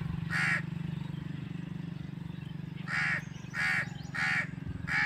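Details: A crow gives one harsh caw, falls silent for over two seconds, then resumes with a quick run of four raspy, nasal caws under a constant low droning hum.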